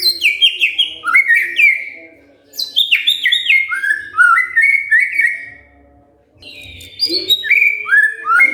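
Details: Provoked white-rumped shama answering in song: fast cascades of downward-sliding whistles come in bursts separated by brief pauses, with a faint low hum in the background.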